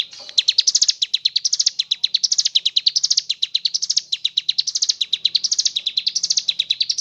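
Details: Mountain leaf warbler (ciblek gunung) singing nonstop in the lively 'gacor ngebren' style with 'isian kapas tembak' fill: a fast, unbroken stream of high, thin chipping notes rising and falling in wavy phrases about every second.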